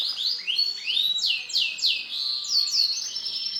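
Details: Male canary with silver plumage delivering fast rolling trills and repeated downward-sweeping whistled notes, high-pitched and unbroken, with slight room echo.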